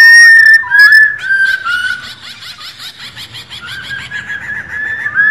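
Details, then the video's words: Captive female white-cheeked laughingthrush giving strong whistled notes that break into a quick, pulsing chatter of repeated notes, then ends on further whistles. The recording is meant to prompt males to sing. "KHƯỚU MÁI RO QUÁ ĐỈNH. Kích Trống Hót Căng Hót Hay | KHƯỚU MÁI Rò rò nghe là hót"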